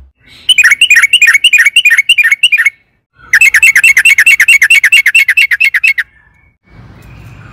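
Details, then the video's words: Excited yellow-vented bulbul delivering a long rolling song used to prompt caged birds to sing: two rapid runs of sharp, evenly repeated chirps, the second about three seconds long, then a brief hiss. "trucukan gacor EMOSI ROPEL PANJANG PANCINGAN TRUCUKAN AGAR BUNYI"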